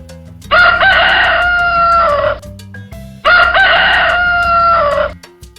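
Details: Rooster crowing twice, each a loud drawn-out cock-a-doodle-doo about two seconds long that ends in a falling tail, with faint music underneath.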